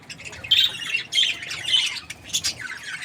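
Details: A happy budgie lets out three or four loud, raspy, high chirping bursts in quick succession, with scratchy twittering between them.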